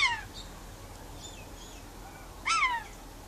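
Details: Pet rainbow lorikeet on a verandah during outside time, talking to wild birds: two short harsh descending screeches, one at the start and a louder one near the end, with faint chirps from other birds between.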